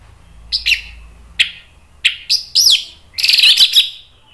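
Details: Orange-headed thrush singing agitatedly in nratak style to provoke other birds: spaced sharp notes build into a dense, bright rolling phrase with twisting high tones, against a quiet background.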